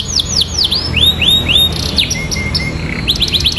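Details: Atlantic canary singing persistently with a ciblek filling: quick downward-slurred whistles, a few broader arched slurs, a short lower buzzy phrase, then a renewed burst of rapid sweeps.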